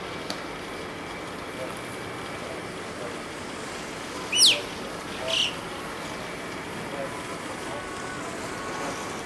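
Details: An Alpine chough (Pyrrhocorax graculus) in a group squabbling over a slice of pizza gives one thin, high, sharply descending whistled call, then a brief softer second note, over steady wind hiss.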